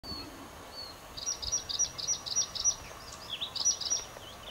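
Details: Bluethroat singing on Texel, the Netherlands: after a couple of faint thin whistles, a rapid run of high, ringing notes repeated several times a second, closing with sliding, twangy phrases.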